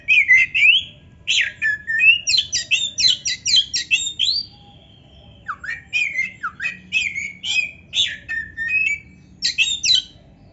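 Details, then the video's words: Long Oriental magpie-robin song aimed at stirring lazy caged birds: rapid stuttering trills and clipped whistled notes in dense bursts, a short pause, then further chattering phrases with deep downslurred whistles. "TERAPI KACER GACOR DONGKRAK BIRAHI DAN EMOSI BUAT KACER MALAS BUNYI"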